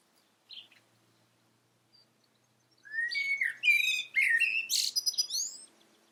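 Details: Common blackbird calling: a brief high note, a pause, then a three-second phrase that opens with low fluty warbles and breaks into high, squeaky twittering before fading; otherwise quiet background.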